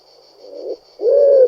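A pigeon gives two low, soft coos, the second longer and swelling; a faint steady high hum runs underneath.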